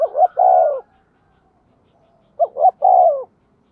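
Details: Spotted dove kept to decoy wild birds, calling at speed: two mellow phrases, a quick double note then a sustained falling coo, separated by a pause of about one and a half seconds.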